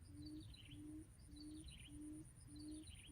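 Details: Decoy quail used for trapping gives low, pure hooting notes about every 0.6 seconds, each steady and slightly rising. Thin, descending chirps from other birds break in between, over a rural background hum.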